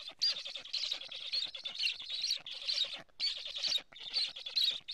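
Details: Black stork chicks on their nest in Estonia, filmed by a live nest camera on 15 July 2017 at 11:15 while a strange stork is nearby; harsh, hissing bursts of wheezy noise, each about half a second, come in quick succession.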